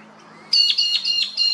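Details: Sulphur-crested cockatoo, an Australian native bird, at an old dead tree where it feeds on honey, chews bark and flaps its wings. After a quiet start comes a loud, harsh, ringing screech broken into four pulsing bursts.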